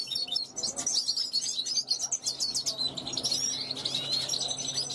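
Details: European goldfinch bred in 2021, calling to wild goldfinches passing a balcony: a continuous stream of high, sparkling twitters and short buzzy trills, with a soft steady hum in the background.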